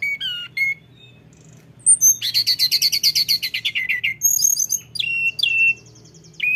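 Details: Lesser shortwing, known locally as tledekan gunung, in rolling song: a few clear high whistles, then a fast rattling series of about fifteen buzzy notes, followed by bright trilled and whistled phrases over a soft background hum.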